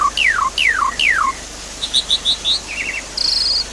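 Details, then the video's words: A Javan pied starling, used as a lure or therapy sound for a starling that has stopped singing, gives three clear, steeply falling whistles, then quick high chips, a short rattle and a buzzy rasping note. "Pancingan Jalak Suren Macet Bunyi"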